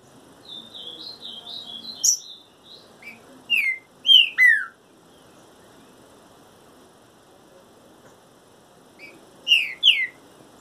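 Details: Trinca-ferro singing while in moult: bright whistled, downward-slurred notes in short bursts, with a burst near two seconds, several around four seconds and more near the end, plus a soft high twittering opening.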